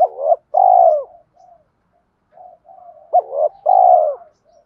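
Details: Spotted dove fighting coo used to call in wild doves for trapping; two phrases, each a short bent note followed by a loud, drawn-out, slightly falling coo, with soft low cooing murmurs in the gap.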